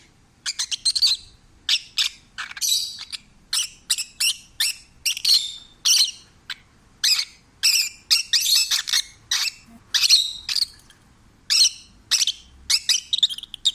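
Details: Pet peach-faced lovebird, taken in as a stray, singing contentedly: a long run of short, scratchy chirps and squeaks, about two each second, some clustered into rapid chattering bursts.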